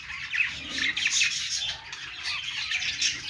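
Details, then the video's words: Pet budgies singing on a perch: dense, scratchy warbling chatter with quick chirps and squeaky notes, rising and falling in loudness through the short stretch, with no other clear sounds. "budgies sounds | love birds sounds | budgies singing on perch"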